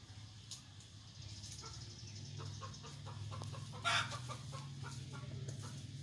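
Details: F1 red junglefowl used as a decoy bird in Vietnam, with irregular short clucks and one sharp louder call near the end, over a persistent low droning hum.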